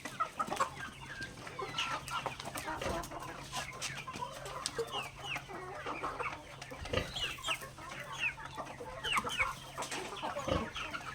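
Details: Backyard chicken flock feeding on grains, producing a busy run of clucks and short upward chirps throughout, punctuated by sharp pecking knocks near seven and eleven seconds, over a low hum.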